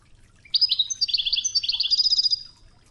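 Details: European goldfinch singing Wedani-style Tougza from a training tape set against river water sounds: a fast, dense twittering trill of high, chattering notes lasting about two seconds, quickening toward the end, with faint water underneath.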